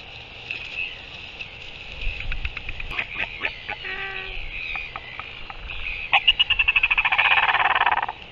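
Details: Northern royal albatross recorded on 15 January 2023, with scattered clicks, a brief nasal harmonic note, then a fast rattling burst of rapid pulses near the end.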